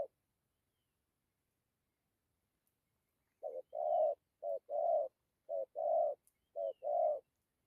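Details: Spotted dove heard after several seconds of near silence: four clear pairs of soft, low coos, each a short note leading into a longer one, evenly spaced.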